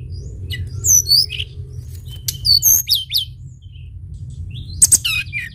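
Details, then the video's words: Sunda bush warbler (tledekan gunung) sings in short bursts of high, sweeping whistles and quick jumbled notes, separated by pauses, over a low steady rumble. "tledekan gunung gacor"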